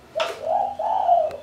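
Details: Pet Spotted Dove (tekukur) showing signs of breeding condition gives a low, throaty rolling coo, a "ngegerom" sound used when a rival approaches: brief rough opening note, then two drawn-out humming phrases. Indoors, otherwise quiet.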